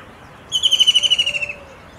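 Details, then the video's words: White-throated kingfisher giving a single loud, shrill trill of rapid ringing notes that drop slightly in pitch over about one second, against a quiet background. "White-throated kingfisher calling"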